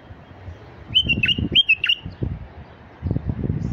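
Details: Male Iraqi white-eared bulbul singing to lure wild bulbuls: a few short, rich whistled phrases with quick dipping notes, bunched in the first two seconds, over low rumbling background noise.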